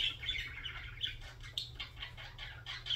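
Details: Quieter budgerigar warbling, a steady stream of quick repeated chirps and clicks several times per second, fairly even in loudness, with a noticeable low hum behind.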